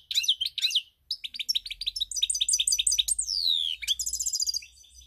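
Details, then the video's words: Goldfinch song from 7 March 2021, loud and close: liquid twittering phrases, a quick series of repeated chirps, a long descending whistle, then a tinkling trilled run with faint low hum beneath. "Pirlitan,Chardonneret , El jilguero , bird , cardellino pezzato , GOLDFINCH SONG"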